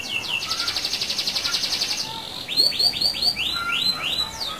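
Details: Canary in full rolling song, used as a lure to spur other canaries: a long even buzzing trill lasting about two seconds, followed by a chain of loud downward-sweeping whistled notes repeated several times a second.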